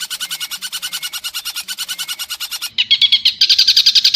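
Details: Harsh training phrases from a pentet, the long-tailed shrike: even pulsed chatter about six notes a second, a short gap, then louder, higher buzzy notes with a whistled edge.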